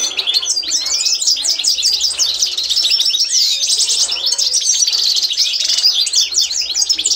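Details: Authentic Constantine-style European goldfinch song serving as a tutor for training: sustained, intense twittering of sharp high chirps, rolling buzzy trills and occasional curving whistled notes, dense from start to finish.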